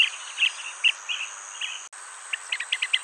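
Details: Blue-tailed bee-eater pair at a nest-hole, the male feeding its mate with insects caught in flight; brief trilled chirps come in quick irregular series, quickening near the end, over a constant shrill insect hum.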